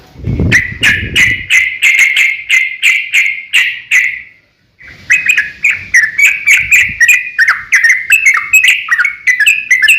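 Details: Yellow-vented bulbul in a long, rapid fighting song, used as a lure to provoke other bulbuls into singing; a quick run of bubbly, slurred notes, a short pause near four seconds, then another fast chattering run.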